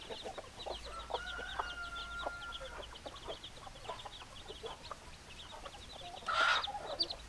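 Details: Hens cluck steadily in a crowded chorus. A long, even drawn-out call sounds over the clucking early on, and a loud harsh squawk bursts out near the end.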